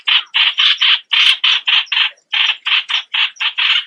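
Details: Streak-eared Bulbul chattering harsh, buzzy notes in a rapid sequence, interrupted by two brief silences.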